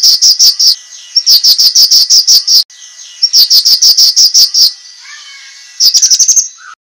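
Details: Cucak kinoi master song for training competition birds, heard as steady runs of crisp high notes about five per second, followed by a short rapid trill and a few low whistled slurs.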